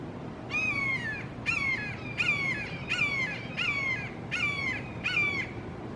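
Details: Three red-shouldered hawks (Buteo lineatus) in a Florida backyard calling long, loud and emphatically, possibly a family dispute: seven loud, harsh, down-slurred kee-ah screams in quick succession under a low background rumble.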